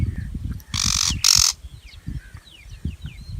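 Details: Two rapid, grating shrike screeches in quick succession, each a short broadband rasp. Thin falling whistles from other birds follow, with a constant low rumbling background.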